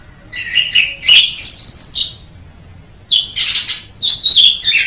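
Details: Asian pied starling, a training recording for songbirds, singing two bursts of mixed whistles and harsh, buzzy notes with rising and falling slurs, separated by a second of quiet.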